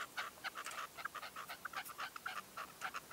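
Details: Short burst of soft, quick, mid-pitched clucking notes from a red-legged partridge decoy calling at dawn in 2023, closely spaced and irregular.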